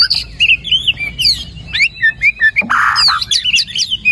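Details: Lively white-rumped shama song used as a lure to make lazy birds sing: rising and falling whistles and trills, then a brief harsh, rasping burst mid-phrase, followed by quick chirping notes.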